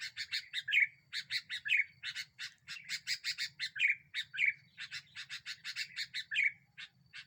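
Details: Lively sooty-headed bulbul used to lure birds and provoke others: rapid bursts of harsh, broad chirps grouped in quick runs, broken now and then by a short bubbly whistled note.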